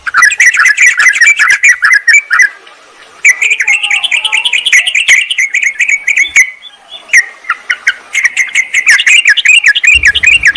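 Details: Lure sound of sooty-headed bulbuls for attracting wild birds that answer a rival. Rapid, bubbly chattering runs are broken by short silences, with a steady rhythm of quick repeated notes.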